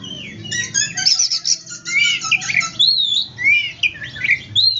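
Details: White-rumped shama in strong song, used to provoke silent or reluctant shamas into singing: a fast run of varied whistles, harsh chatters and sliding notes, with a faint low hum underneath.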